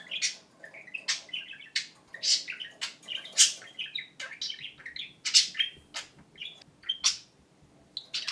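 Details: A pet talking budgerigar chatters in rapid, high, scratchy bursts, running imitated English words together in a thin buzzy voice with sharp clicks between phrases, alongside a second talking budgie.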